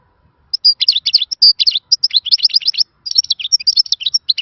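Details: European goldfinch singing a khalawi-style song, described as a lost song from the old days: a fast, dense run of high, liquid twittering notes and buzzy chirps, briefly broken by one short pause.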